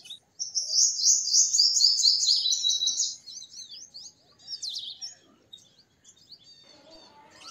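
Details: Purple sunbird delivering a dense, high, buzzy trill for about three seconds, followed by scattered thin squeaky notes and a quieter tail of twitters.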